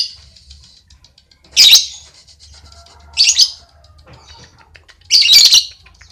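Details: Three loud, harsh, high squawk bursts about two seconds apart from a lovebird in relaxed ngekek chatter, with soft ticking and a thin whine between them.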